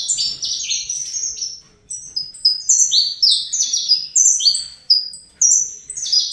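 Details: Young captive-bred Saffron finch singing in the Fibra style: rapid bursts of high, sweeping notes that slide downward, separated by a brief pause near the two-second mark, then resuming in quick repeated phrases.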